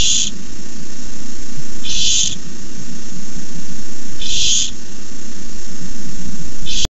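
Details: Barn owls begging at their nest during a rat delivery, the fourth treat, filmed by nest camera on May 29, 2015: four harsh, hissing screeches, each about half a second, repeated roughly every two seconds over a low constant rumble.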